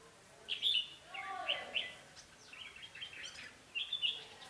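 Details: Red-whiskered bulbul, a decoy bird used for trapping on 11 November 2016, sings short, bright whistled phrases in bursts with pauses between, faint against background hiss.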